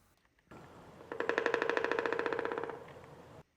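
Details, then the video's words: Pileated Woodpecker drumming, a loud, hollow roll of rapid, even strikes lasting under two seconds and fading slightly at the end; this drumming carries very far and is given frequently in spring to attract mates. "The pileated makes a very loud hollow sounding drumming sound that you can hear from kilometers away."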